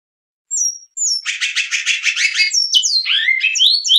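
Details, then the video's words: Great-billed seed-finch giving Goiano Clássico song, Batuque line, opening with the entry 'laugh': two thin whistles, then a rapid rattling chatter of about a dozen pulses, followed by sweeping whistled notes. "Canto de Bicudo Goiano Clássico - CGC - linha Batuque"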